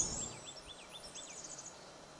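Blackburnian warbler: a quick series of six thin, high, slurred notes followed by an extremely high, hissing trill, over faint background hiss.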